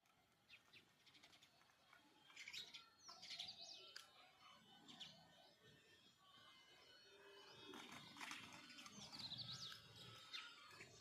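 House sparrows chirp in short, rapid, overlapping notes, several birds calling at once, with rustling and light background noise.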